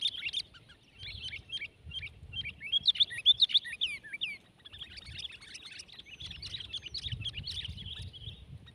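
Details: Two sooty-headed bulbuls in a tense contest, one twelve months old, giving fast, varied chirps and twisting whistled notes in loud bursts separated by brief pauses, with intermittent low rumbling noise.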